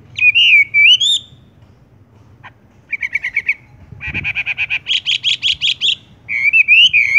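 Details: Rolling 'tung roll gantung' song by a Horsfield's bush lark: wavering whistled phrases, a silent gap, then bursts of rapid buzzy repeated notes and a closing warbled whistle.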